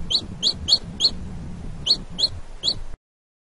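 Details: A young chicken calls for its mother with shrill, short peeps, each slightly rising, spaced irregularly about three per second, above a soft low-pitched background hum, ending in silence.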